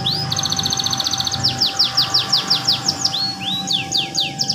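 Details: Canary with goldfinch-like song: an opening rapid rolling trill, followed by repeated high downward-swooping notes about three a second, with a constant tone and low background hum.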